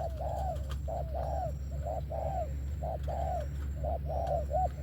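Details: Spotted dove with good-voiced thổ-style song: regular mellow coos, each short note followed by a longer arched note, steady low droning background.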